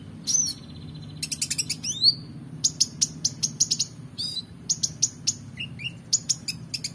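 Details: Energetic song of a Van Hasselt's sunbird, meant as a tutor recording for contest songbirds: dense bursts of thin high twitters, a buzzy trill and rapid clicking chirps packed tightly together, with constant low background rumble.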